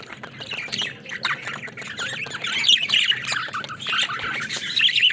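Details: Pet budgerigars playing in their cage, fast irregular squawky chirps about four per second, building into louder overlapping chatter.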